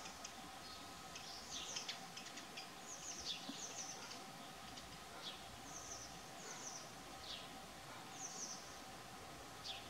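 Northern wheatear giving faint, short high chirps and scratchy notes every second or so, over a steady background hum and light ambient noise.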